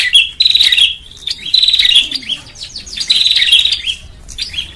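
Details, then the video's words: Lure call of a bar-winged prinia for attracting birds, with thin, high chirped phrases and quick rising-falling buzzy notes in uneven bursts. "SUARA PIKAT BURUNG PRENJAK"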